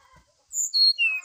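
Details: Brown-chested jungle flycatcher singing in the morning as a lure song: three clear, high whistled notes in quick succession, each a little lower than the last, after a brief quiet murmur.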